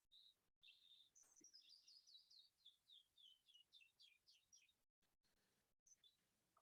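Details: A Canyon Wren sings its common canyon song, which echoes through the canyons: a cascade of about fifteen clear, sweet notes tumbling down the scale, then a few trailing notes. The recording has brief dropouts.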